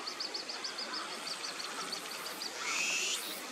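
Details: Young little grebe calling as it follows a parent to be fed: quick run of high, evenly spaced peeping notes, then a brief rising whistled sound near the end.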